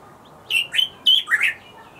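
A Bluethroat gives a quick burst of four or five sharp, buzzy chirps and twangy notes, high-pitched and rising, over about a second, against quiet background hiss.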